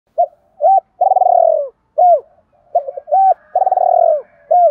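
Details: Spotted dove calling, played to lure other doves in: clear, mellow coos, short hooked notes alternating with longer rolling, throaty phrases, repeated several times in a quick rhythm with no other sounds.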